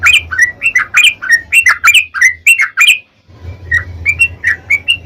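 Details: Chatty sooty-headed bulbul singing a lure song for other bulbuls: a fast string of warbling, slurred whistles, then a brief gap and a softer second run of similar notes over a low background hum.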